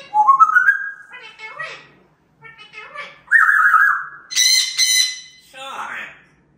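A grey parrot talks in short, speech-like bursts mixed with rising whistled notes and a harsh, raspy squawk.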